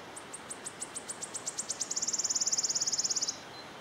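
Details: A wood warbler in Yarner Wood, Devon, sings high, thin ticking notes that speed up into a fast, shivering trill lasting over a second, over faint background hiss.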